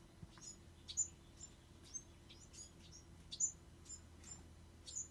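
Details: Bewick's wren fledglings producing repeated high, thin chips in a fairly steady series, with stronger notes roughly every one to two seconds, over a soft low hum.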